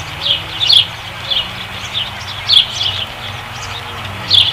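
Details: Osprey at a ranch nest at Dunrovin Ranch on 5 August 2016, giving quiet, high, clipped chirps in small clusters about every second, with a low rumble underneath.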